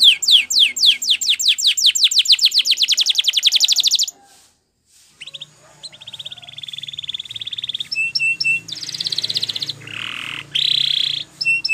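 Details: Champion Spanish Timbrado canary song meant for training: a fast series of falling sweeps for four seconds, a short silence, then a soft rolling trill, bright chirps and lower, rich rolls.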